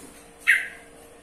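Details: A single sharp, rasping squawk from a yellow-vented bulbul, loud at onset and trailing off over about a third of a second, with a quiet hum behind it.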